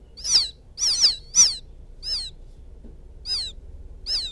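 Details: Quail chick from the fields calling for its mother, a lure call: a quick cluster of three shrill falling chirps, then sparser, softer single chirps with gaps of over a second.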